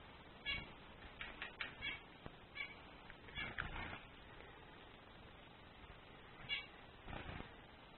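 A male zebra finch sings short, nasal, buzzy notes in scattered bursts.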